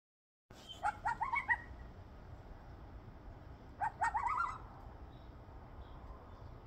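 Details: A blue jay in Kneehill County, Alberta, on 21 September 2023 mimics a coyote (or perhaps a loon) with two bursts of quick, wavering, rising yelps a few seconds apart, over a steady low background hum.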